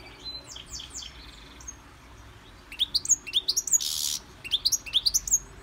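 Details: European goldfinch held in a Victorian brass cage during song training, giving a quiet soft start then a bright series of quick rising chirps and a brief harsh buzz.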